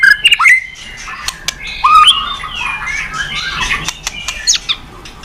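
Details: White-rumped shama song from a training recording meant to provoke other birds to sing: loud whistled notes sweeping up and down, then a busier stretch of overlapping warbles, sharp clicks and a few high chips.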